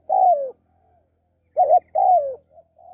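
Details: Spotted dove, a captive decoy bird, giving a long falling coo, a pause, then a clipped double note and another drawn-out descending coo, ending with soft low coos. Faint high twittering is heard in the background.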